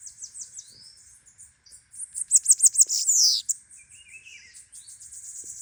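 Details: Bananaquit singing a lot: soft high twittering leads into a loud, rapid string of sharp, piercing notes ending in a wheezy downward slur, then quieter high chatter and a short lower trill.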